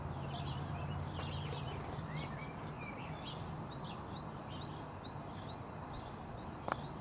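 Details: A great tit under a bell in April 2022 gives thin, high chirps and short arched notes, repeated about twice a second, over a steady low rumble of background noise.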